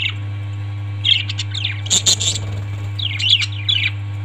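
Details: Quick high parrot chirps and twittering notes, a harsher squawk in the middle, then more rapid chirps toward the end, with a steady background hum throughout.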